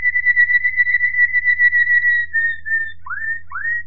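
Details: Waterslager Malinois canary song recorded in 2018: a sustained pure whistle pulsing slightly in strength, stepping into shorter whistled segments and then two quick rising upslurred notes, with low background hum.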